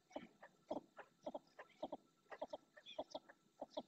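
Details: Ringed red-knobbed coot in the Doñana National Park marshland, Spain, giving short clucking notes in irregular runs, some paired, about two per second over a quiet background.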